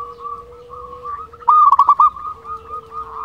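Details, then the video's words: Prolific local Zebra Dove, kept as a tutor and lure to rouse quiet doves and raise breeding drive. One loud phrase of rapid, stuttering coos rises above soft, continuous background cooing. "Perkutut Lokal Gacor Suara Ampuh Untuk Pancingan Burung Perkutut Agar Bunyi"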